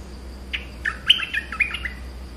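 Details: Quick, bubbling phrase from a Streak-eared bulbul: a rising opening note followed by several jumping, whistled chirps in rapid sequence, with a low steady hum behind.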